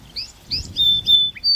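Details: Song Sparrow singing in spring near the Fraser River forest, Vancouver, Canada: a brief fragment of quick high chirps, a long steady whistle, a short buzzy note, then another high whistle.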